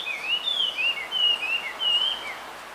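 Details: In a bamboo grove, a male blue rock thrush sings to attract a female: a clear, continuous run of wavering whistled phrases, rising and falling, in four loud bursts over under three seconds.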